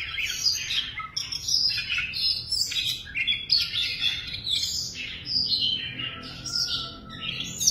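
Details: A tame caged Siberian rubythroat sings a continuous, varied warble of bright whistles, chirps and trills, high-pitched and fast-paced, with no other notable sounds.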